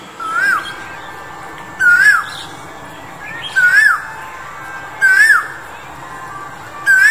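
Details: Male Asian Koel, February 2021, giving loud, rising-and-falling 'ko-el' notes, about one every one and a half seconds, over a steady background hiss.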